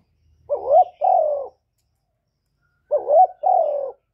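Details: Spotted dove cooing to attract other doves: two identical phrases of a rolling double note then a drawn-out descending coo, separated by a pause, with a faint low rumble at the start.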